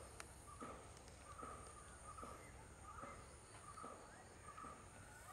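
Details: A common hill myna of subspecies Gracula religiosa indica gives short, clear mid-pitched notes, about one every second, over steady low rumbling background noise.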